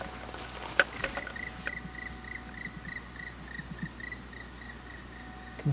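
A Black Woodpecker gives a long series of even, ringing notes, about three or four a second. A man speaks briefly at the start over a low outdoor hum.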